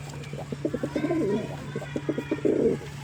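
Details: Rapid series of low, pulsing pigeon coos, a stuttering throb that swells and ends in a sustained rolling note, above a steady mechanical hum.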